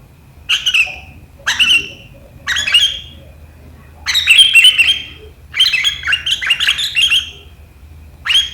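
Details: Sooty-headed bulbul (kutilang) in sharp riwikan style, 7 April 2023: loud separate bursts of squeaky chatter about once a second, lengthening into longer tumbling phrases midway.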